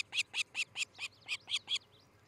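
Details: Osprey at its nest near Charlo, Montana, filmed by a nest camera in the early morning of 13 July 2018: a quick run of seven sharp, high chirps, evenly spaced about five per second, then a brief pause.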